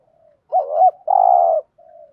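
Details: ["Spotted dove giving a single 'thúc gù' phrase meant to stir wild doves: a faint low lead-in, a looped two-part note, then a long steady buzzy coo, ending with a soft tail note."]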